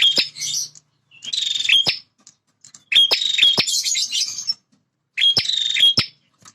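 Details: Bar-winged prinia male in full, energetic territorial song: dense buzzy trills with a thin piercing whistle, given in three or four bursts separated by brief silences.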